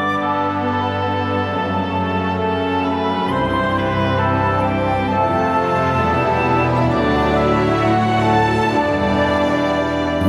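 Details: Slow, sustained instrumental music with layered tones plays throughout, and no animal calls are heard.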